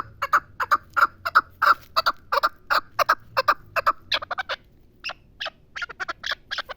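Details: Pamir chukar partridge calling in a rapid, loud series of hoarse chuk notes, several per second. The series breaks briefly midway and then resumes as slightly higher, scratchier notes in uneven bursts.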